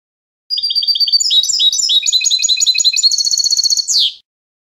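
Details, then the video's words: Rapid, tinkling song of a European goldfinch: high twittered notes, buzzy stretches and quick trills run together, ending in a short downward-sweeping rasp. "Clean Song of the GOLDFINCH | Chant chardonneret"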